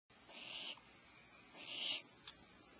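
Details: Owlets in a nest cavity at 04:47 PST as their mother brings medium prey; two harsh hissing screeches, the second louder, followed by a short faint rasp.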